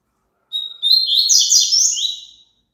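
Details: One full song phrase of a double-collared seedeater: a clear introductory whistle followed by a fast, rich jumble of buzzy, chattering high notes lasting almost two seconds, recorded clean with no other sounds.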